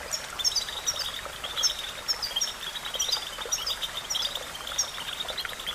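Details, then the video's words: European goldfinch song used for training songbirds: high, tinkling twitters and short chirps repeat about every half second above a steady hissing, buzzy background, like running water. "The magic recipe to silence the goldfinch and make it sing"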